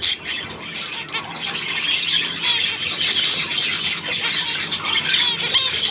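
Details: Chattering budgerigars, 9 February 2024, keeping up a restless stream of high chirps and squeaky warbles, with a few quick rising notes near the end.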